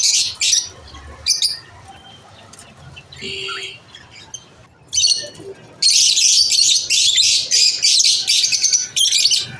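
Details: Lovebirds at lunch time: scattered high chirps and squawks over the first half, then a loud continuous run of rapid, high buzzy chattering toward the end.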